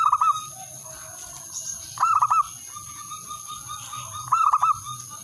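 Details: Male zebra dove calling to a rival: three brief burry coo phrases of three to four notes, spaced about two seconds apart, with a steady high whine throughout.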